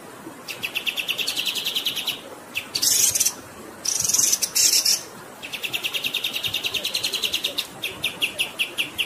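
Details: Master-training birdsong for songbirds, with a bird repeating rapid high buzzy trills in long rolling bursts, broken by brief harsher chattering phrases; the recording is set over flowing water.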